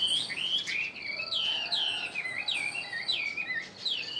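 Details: Chinese hwamei caged for one year delivering a fast sequence of clear whistled notes, each sliding up then down, phrases rolling one into the next with little pause.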